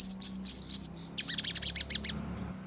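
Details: Crimson sunbird lure song for quick responses and 'nembak' bursts. Three arched, wavering high whistles, then a quick string of about eight sharp, clipped chips, over a faint low hum.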